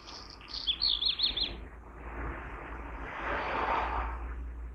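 A Black Redstart gives a quick burst of high, thin chirps and scratchy notes lasting about a second and a half, followed by steady rushing background noise.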